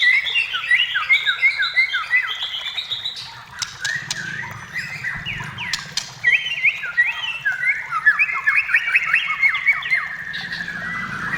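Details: White-rumped shama in full song, used to lure other shamas into singing; a dense, continuous stream of quick chirps and slurred whistles, with sharp clicking notes scattered throughout.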